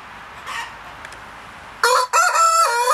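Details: Buff black Columbian rooster crowing: faint calls in a quiet background, then a loud harmonic crow that breaks briefly and resumes as a sustained, slightly wavering cry.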